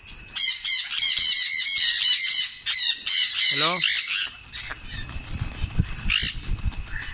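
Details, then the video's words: Tame African grey parrot, a talking bird, likely mimicking a greeting; a rapid series of sharp, squeaky whistled and squawking syllables, one deep sliding note, then quieter sounds with a steady high electronic whine throughout. "temed african grey parrot"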